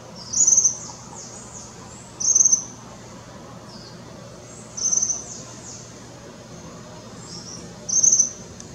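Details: A young Tropical Kingbird calling at Parque da Chacrinha, Rio de Janeiro, February 2019, gives short, very high, buzzy trilled notes, one every two to three seconds, over a quiet background.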